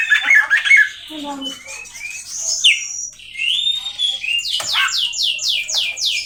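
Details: Oriental magpie-robin (kacer) singing buzzy warbles, low whistled notes and long drawn whistles, then a rapid string of six high, downward-sweeping notes at the end.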